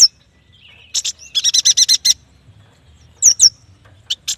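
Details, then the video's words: Yuhina, locally called prenjak batu, singing actively: a fast burst of seven or eight high, bright chirps in about a second, framed by sharp, downslurred whistled notes and a few isolated high ticks. "Suara burung yuhina"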